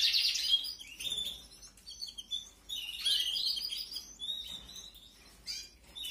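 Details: Canary chicks being fed in the 2021 breeding season: bursts of shrill, scratchy chirping in quick clusters, about four notes a second, with brief quieter gaps between bouts.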